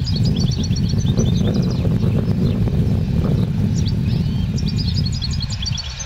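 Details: Trained caged goldfinch, taught the clean 'a limpio' song but missing a 'pirreo' at the head. Quick strings of bright, high ticking notes open and close the passage, with a quieter gap between, over loud steady low hum.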